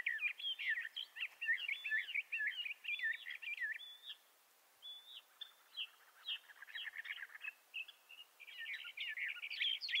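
Bendire's thrasher singing a long, continuous warble of sweet, slurred and twittering phrases, fast and varied, with brief pauses and a thin whistle between bursts.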